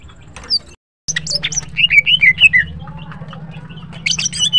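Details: Morning song of a female greater green leafbird: a brief break, then a run of quick, rising-and-falling whistled notes repeated several times a second, ending in higher buzzy trills, with a constant low hum beneath.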